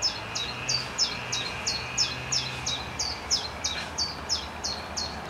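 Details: A restless common chiffchaff, alternating preening and singing in a false acacia by a pond, sings a steady string of about a dozen high, sharp notes, roughly two a second, alternating slightly in pitch, over a faint low hum.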